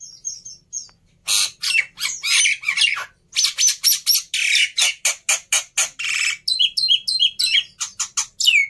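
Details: Black-winged myna, an overexcited fighter bird used as a tutor for silent starlings, gives a few high thin notes, then bursts of harsh rasping screeches and rapid chattering notes repeated in quick pulses, ending in sharp rising squeaks.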